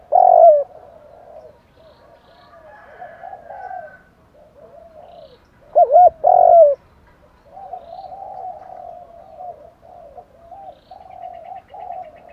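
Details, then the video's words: Male and female spotted doves cooing to stir wild birds, in thúc, gù and gáy gọi styles. Long stretches of soft, rolling low coos, broken by a loud coo at the start and a strong double coo near the middle. "Tiếng chim cu gáy kích bổi [ thúc + gù + gáy gọi ] tiếng chim cu gáy thúc gù bài bản ra nhiều bài"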